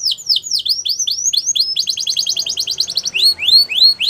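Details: Belgian canary song intended for training young canaries: swooping down-and-up whistled notes, a quick rattling trill in the middle, then clear rising whistles repeated at a brisk pace.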